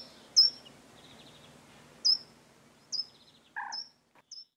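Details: Short-toed treecreeper in central French countryside, Nouvelle-Aquitaine, 13 March 2018, giving sharp, very high thin notes about once a second, with a lower brief double note from another sound partway through.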